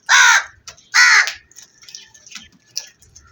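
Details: Black crow giving two loud, raspy caws about a second apart, followed by faint clicks and soft background chatter.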